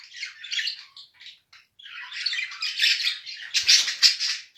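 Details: A mated budgerigar pair calling: choppy bursts of buzzy warbles, a short pause, then a rising run of loud scratchy chatter with a faint knock.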